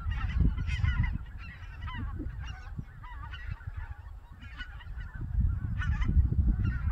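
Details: White-fronted geese on a winter morning, flying from their roost at Togo Reservoir in Cheorwon, central Korean peninsula, to feed on the Cheorwon Plain. The flock gives dense, overlapping high yelping honks in bursts, over a steady low rumble.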